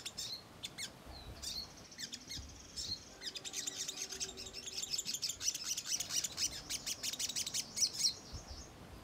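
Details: Ruby-cheeked sunbird used as a lure to make birds react. A few scattered high squeaks open, then from about three seconds a dense run of fast, sharp, high-pitched twittering chirps continues to the end.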